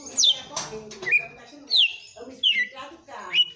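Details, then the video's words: Household red-cowled cardinal in 'açoite' song, loud downward-sweeping whistles spaced well apart, some ending in a short level tail; quiet background chatter and a faint clatter. "TOME ESSE AÇOITE DE COM FORÇA DO MEU GALO DE CAMPINA"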